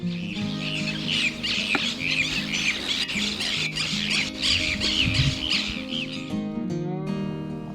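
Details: Brown Cacholote, a noisy bird usually in pairs, duetting with loud, harsh, scratchy chatter poured out rapidly and continuously, with soft background music underneath and ringing music tones at the close.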